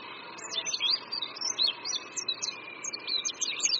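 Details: Oriental white-eye singing from a branch above a creek at Qingdao University, Qingdao, Shandong, China: a lively run of thin, high twittering notes that dart up and down, over a steady faint high hum.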